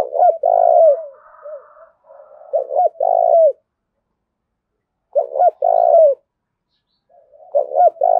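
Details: Spotted dove used as a decoy, cooing hard to provoke a fight: deep stuttering double notes into a drawn-out rolling coo, phrases a few seconds apart, with faint higher chatter early on.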